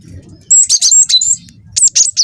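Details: Lure song from a young wingko cinereous tit, used to make other birds sing: a fast run of shrill, high whistles with rising and falling twists, a brief pause, then three more sharp notes.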